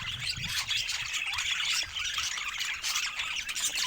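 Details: Pet budgerigars keep up a dense, nonstop chatter of quick chirps, squeaks and warbled notes that overlap into one busy flock sound.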